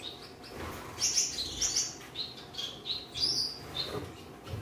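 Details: Courting red-headed Gouldian finches, a caged breeding pair reunited for a third season. Short high squeaky chirps and buzzy notes come in clusters about every half second, over a faint low hum.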